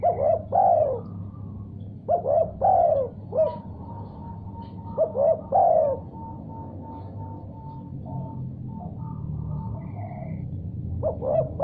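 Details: Spotted dove answering a heard sound with four coo phrases in quick succession, short notes followed by a long falling coo, then a quiet stretch carrying only a faint sustained tone and low background hum.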